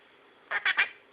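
A pet monk parakeet gives three quick, raspy syllables in a throaty, word-like burst of mimicked speech.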